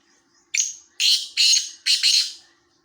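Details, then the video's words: Black francolin calling: a loud harsh phrase of four grating, buzzy bursts, a short first note followed by three longer rasping notes, all within three seconds, in otherwise quiet surroundings. "kala teeter ki awaz"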